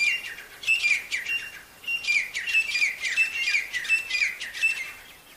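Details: Healthy wild partridges in the jungle give harsh, ringing calls in quick bursts, the notes tumbling out almost continuously with short pauses between series.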